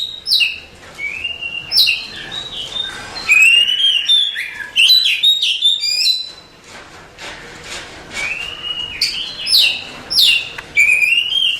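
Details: Oriental magpie-robin, a contest-champion songbird, singing a loud varied song of clear whistled notes with sharp downward sweeps and rising slurs, phrases bunched and repeated roughly every second with short pauses between bursts.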